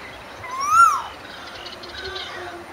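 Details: Singing Asian koel giving a single clear whistled note that climbs and then falls away, followed by faint background sounds.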